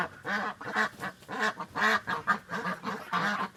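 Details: Real farm duck sound for toddlers: loud nasal quacks repeated roughly every half second, each a short buzzy honk, several birds calling in close succession.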